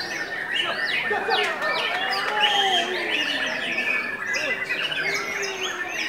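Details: Hyperactive White-rumped shama kept on a diet of pellets and crickets, pouring out a busy medley of bright whistled notes, quick downward sweeps and scratchy chips, overlapping with further chattering bird sounds throughout.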